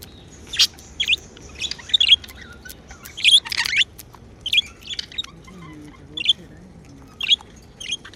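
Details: Pet budgerigars described as happy chirp in lively bursts, a busy cluster of bright chattering notes early on, then single chirps spaced roughly a second apart.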